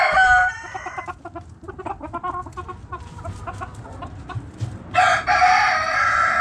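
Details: Backyard chickens, hens and roosters: soft repeated clucks with a brief harmonic note at the start, then a loud, harsh, rich crowing burst near the end over low background rumble.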